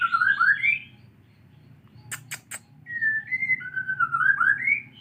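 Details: Caged white-rumped shama, its tail regrowing, learning canary sounds: rapid rising and falling whistled warbles, a pause broken by three sharp clicks, then longer fluid whistled phrases in a quiet room.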